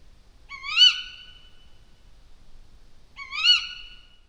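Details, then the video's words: An owl, at night in an autumn mountain forest, gives two harsh, drawn-out screeching cries about two and a half seconds apart, each slightly rising then falling, over a quiet background; heard as cries of nocturnal birds of prey. "The cries of night birds of prey."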